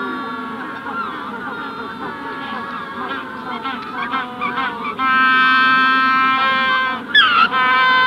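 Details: Adult Magellanic penguin calling close up at the hatching stage in the Punta Tombo colony: broken braying notes, then a loud sustained harmonic bray from midway, a brief gasp, and another strong bray, colony chorus behind.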